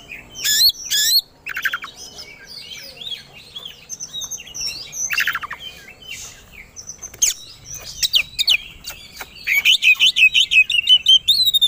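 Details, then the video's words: Oriental magpie-robin (kacer) singing aggressively, ready to fight, as a lure recording. Dense, varied high warbling with buzzy bursts and scratchy notes runs into a fast string of repeated sharp chirps at the end. "Pancingan Kacer Agar Cepat Emosi Gacor 3 || Super Gacor Langsung Tarung"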